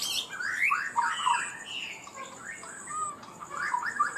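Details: Chinese hwamei, a kept songbird from Vietnam, singing in the high 'cao cầu' style: quick runs of slurred, rising and falling whistled notes in short bursts, with a thin steady high tone running behind.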